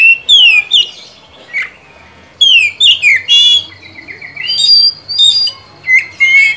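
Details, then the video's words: Oriental magpie-robin song used as a lure to get a silent bird singing: bursts of bright whistled notes, steep downslurs and quick chattering trills, broken by short pauses. "pancingan kacer macet/bahan agar rajin bunyi dan gacor ngeplong"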